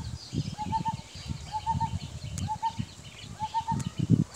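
Common hawk-cuckoo giving short clear whistled notes in phrases of two or three, repeated about once a second, over heavy low rumbling background noise.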